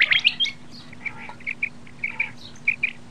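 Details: Common quail calling: short, sharp notes in quick pairs and triplets, repeated at intervals of about half a second against a steady low hum.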